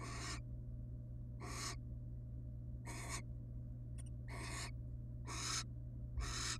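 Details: Wild barn owl parents at the nest with chicks, the female affectionate toward the male; six or seven airy screeching hisses spaced roughly a second apart, later ones louder, plus a brief click and low hum.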